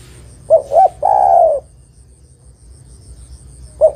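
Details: Female spotted dove calling to a male, for luring: a phrase of two brief coos and a long descending coo, then the first note of the next phrase after a pause.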